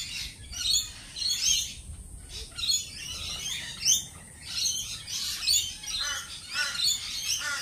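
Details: Lorikeets in a cafe setting give a noisy chorus of harsh, high screeches and shorter chirps, with a brief lull near the two-second mark before the chatter resumes.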